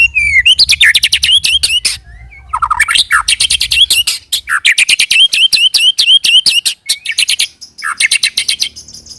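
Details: Loud, continuous white-rumped shama song in the roll tembak style, a lure to prompt other shamas to answer: fast, varied whistled phrases with rising and falling sweeps, packed with rapid clicking and chipping notes.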